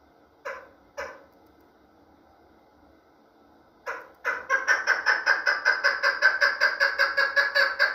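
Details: Chukar partridge calling indoors: two sharp clucks, a pause, then a steady run of loud, harsh, evenly spaced chuck notes repeated about two to three times per second.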